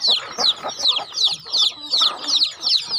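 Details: Chickens on a rural farm during feeding make sharp, high-pitched chirps that drop in pitch, grouped in steady pulses about every half second.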